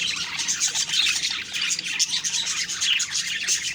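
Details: High twittering and scratchy chirps from a group of budgies in the morning, rapid and unbroken, with the whole sound high-pitched.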